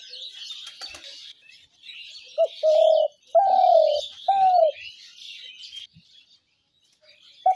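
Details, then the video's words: Trap-lure call of a spotted dove: a short run of three or four hollow coos in the middle, the central one longest and falling, with busy chirping of other birds behind. "ঘুঘু পাখির ডাক/Dove bird calls/gugu pakir dak/ dove trap sounds/পাখির ডাক"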